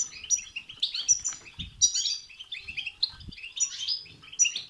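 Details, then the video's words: Goldfinch song used to excite another goldfinch into singing: a dense, continuous run of bright twittering notes, liquid chirps and short buzzy trills, with faint low thumps now and then. "بتبتة وستستة تخرج الحسون عن السيطره..... هيجان خرااافي تسببه هذه البتبتة نار على نار سيغرد حسونك"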